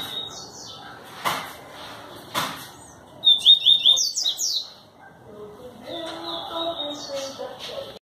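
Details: Singing yellow-bellied seedeater (papa-capim), with its distinctive "canto diferenciado", in Pau Brasil, Bahia, 25 May 2018. It makes high, bright twittering phrases with quick rising notes, broken by loud knocks and clicks, and soft lower sounds after.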